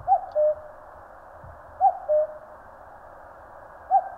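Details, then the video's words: Three cuck-oo calls from a common cuckoo in the Korean mountains, each a higher note followed by a lower, steady one, about one and three-quarter seconds apart. "청량한 뻐꾸기 울음 소리. Cuckoo chirping in the mountains."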